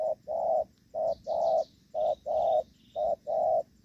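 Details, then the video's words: Decoy spotted dove in a rainy-season trapping session in Vietnam giving gù vấp coos, each a brief low note followed by a longer sustained one, pairs evenly spaced roughly each second; thin high twitters from other birds in the background. "Gù vấp l clip 839 | Viện kt 0905459290 l Bẩy cu gáy"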